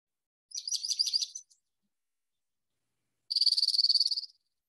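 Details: Dark-eyed Junco, a winter bird in Iowa, singing two rapid, musical trills, each about a second long, of fast, even high notes separated by a short pause.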